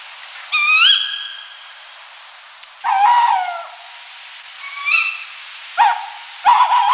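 A tawny owl gives four or five sharp, hoarse, upward-sweeping calls at uneven intervals, some clipped and some drawn out, over a faint steady hiss.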